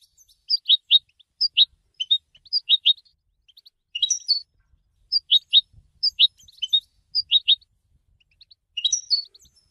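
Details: Goldfinch voice offered for song training: sparse high chirps in pairs and small clusters, a brief note every second or so, with a few sharper twittered bursts between quiet gaps.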